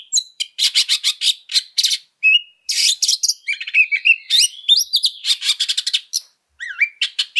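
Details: Oriental magpie-robin singing a harsh, aggressive fighting song used as a lure for other birds: loud bursts of buzzy, rasping notes alternate with clear rising and falling whistles, rapid and unbroken, with no other sounds.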